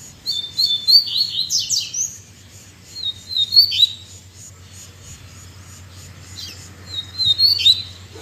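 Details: Caged double-collared seedeaters back in song instead of moulting: several high, clear whistled phrases with fast trills and sharp descending sweeps, spaced a few seconds apart, over a steady low background hum.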